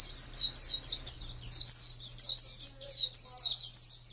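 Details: High-pitched ngalas song from an Oriental white-eye, wild-type style: a rapid chain of thin, sliding whistles, densely packed and continuous, with a low mechanical hum beneath.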